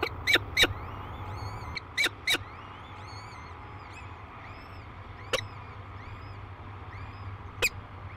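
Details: Peregrine falcons at a cliff-face nest near La Crescent, Minnesota, above the Mississippi River, on hatching day. Short harsh, buzzy notes come in quick pairs and triplets, then isolated single bursts, over faint thin arched peeps and a steady low hum.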